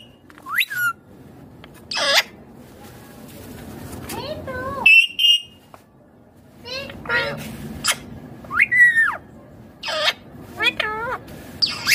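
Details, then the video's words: Green ringneck parrot from India speaking: sparse, separated utterances, some rising sharply, some bending with harmonics, plus a brief steady high whistle midway, spread over twelve seconds with quiet pauses. "Indian ringneck green parrot amazing talking clear sounds"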